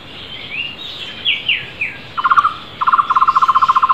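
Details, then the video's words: Loud flame-fronted barbet in the wild. After a few sliding whistles from other birds, a short fast trill of hollow notes comes, then a longer, evenly pulsed run to the end. "Takur tohtor gacor keras di alam bebas"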